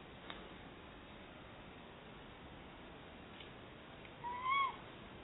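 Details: One of a pair of Tawny Owls searching for a new nest site in a Somerset barn owl nest box gives a single rising, slurred call with a faint overtone near the end; quiet background otherwise.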